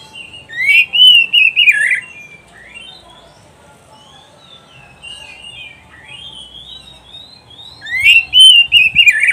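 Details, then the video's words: Oriental magpie-robin song recorded to train caged birds: a loud phrase of rich warbled whistles, several seconds of soft, thin, scattered whistled notes, then another loud descending warble. "SUARA KICAUAN BURUNG KACER TERBAIK, PART 94 - MASTERAN KACER - KACER GACOR - PANCINGAN KACER"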